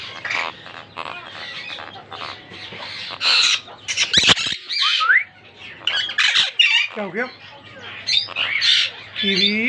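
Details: A captive pair of monk (Quaker) parakeets in their first season together trade harsh squawks and scratchy chattering notes, with some softer mumbled sounds between.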